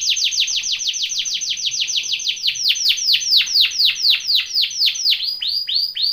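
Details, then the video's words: Canary training song: a loud run of clear descending whistled sweeps repeated about four times a second, slowing slightly toward the end. "BEST canary singing / CANTO CANARIO CANTANDO FOR TRAINING / CANARY TRAINING SONG"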